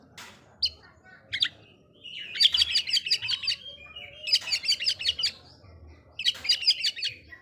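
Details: Oriental magpie-robin singing to provoke other magpie-robins: three bursts of rapid scratchy repeated chirps, each about a second long, with short whistled notes between them.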